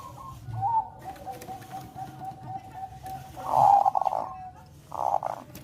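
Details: Perkutut (zebra dove) of the Bangkok line, song used to bring birds into breeding condition: a long string of quick, even, mid-pitched notes, then loud rough fluttering bursts, over low background hum.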